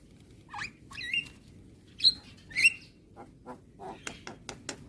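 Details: Javan myna tutor song meant to be played every morning to young birds: a few harsh squeaky whistles and rasping chirps, then a quickening row of dry clicking ticks.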